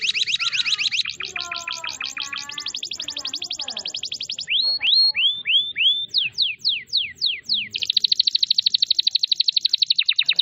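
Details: Canary masteran for training other canaries, full tembakan song: a dense high rattling trill, a stretch of softer mixed notes, a series of arched whistles, quick downward sweeps, then another rapid buzzy trill.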